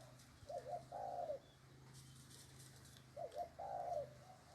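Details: Spotted dove cooing: a brisk doubled lead note then a drawn-out husky coo, given twice about three seconds apart, against quiet rural background with a low hum.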